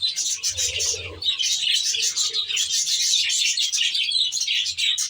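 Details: Many budgerigars in a natural-style aviary warbling together, a thick, bright chorus of rapid chirps and chattering trills without pause, over a faint low hum early on.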